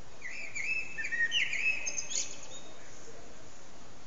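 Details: Common blackbird singing its evening song at sunset, recorded on an HTC Desire phone: a fluted, whistled phrase of several notes in the first two seconds, ending in a higher twittering flourish, then quiet background hiss.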